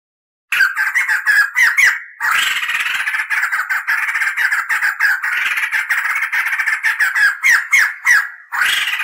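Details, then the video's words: Crested laughingthrush tutor recording with long rolling, clear cackling song: dense harsh chattering phrases with rapid repeated notes, continuous loud bursts broken by brief pauses. "SUARA MASTERAN POKSAY JAMBUL GACOR NGEROL"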